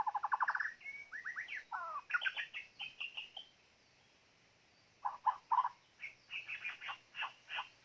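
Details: Decoy white-rumped shama song: a rapid rising trill at the start, then swooping whistles and fluty notes, a pause, and another series of clear whistled phrases; quiet and somewhat distant.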